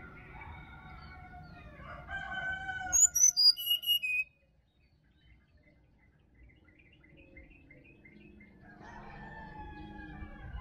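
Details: Forest sirdadu from Bali giving one loud phrase of sharp whistled notes falling stepwise in pitch. Other birds warble beforehand, then near silence, then softer background chirping resumes.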